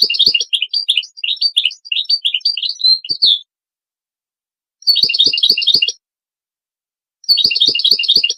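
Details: European goldfinch song for training: dense, loud bursts of high twittering and slurred chirps in three phrases, with faint soft clicks beneath.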